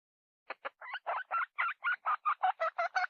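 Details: Hen calling in a rapid run of harsh clucking notes, about a dozen in three seconds, starting with short clipped clucks and becoming longer, louder, evenly spaced squawks, against a quiet background.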